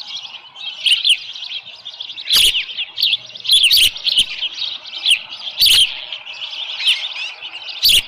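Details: Osprey at its Dunrovin Ranch nest, morning of 13 July 2018, a small live fish brought in: steady stream of shrill piping chirps, rising and falling, punctuated by several loud broadband clicks or thumps.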